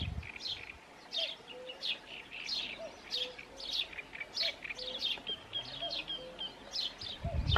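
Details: Eurasian penduline tit at its nest in the morning, washing: thin high calls repeated in quick series, with a lower whistled note recurring about every second and other bird voices around.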